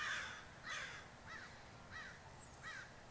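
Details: More than twenty crows gathered on a roof give harsh caws, about five spaced calls in three seconds, each with a bright arched band, over a low steady background rumble.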